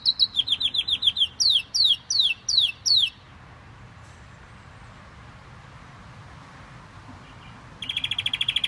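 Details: Canary singing its heart out: rapid trill then a series of descending swept notes about every third of a second, a few seconds of near silence, and a new fast trill starting at the end.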